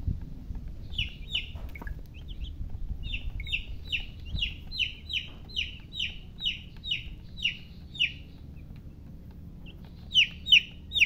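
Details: Baby chickens peeping: a long series of thin, downward-slurred chirps in the middle, a gap, then three louder peeps at the end, with a low background rumble throughout.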